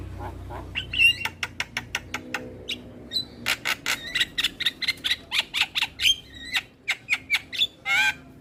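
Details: Lure song for starlings of all kinds, used to rouse silent birds into singing: dense string of dry clicking notes interwoven with short whistled and scratchy phrases, steady through the recording.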